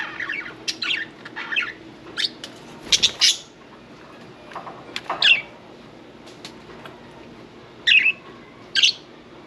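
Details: Pet budgerigars with one bathing, mixing soft scratchy warbles with louder sharp chirps and squawks, a wing flutter around the third second, and paired harsh calls near the end.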